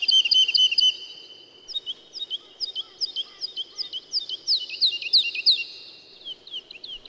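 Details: Woodlark's melodious song: rapid paired whistles at the start, followed by a long flowing sequence of slurred, repeated fluty notes at an uneven pace, with faint low background noise.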